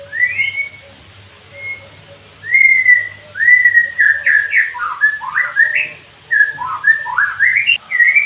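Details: White-rumped shama song used as a training sound for kept birds: clear whistled notes, then a rapid run of slurred, rising and falling whistles and sharp upward sweeps, varied and continuous.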